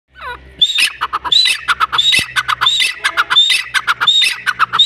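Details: Grey francolin calling loudly in a fast, rough series of harsh, ringing notes, roughly one and a half per second, which keeps going through the whole stretch after a faint falling whistle at the start.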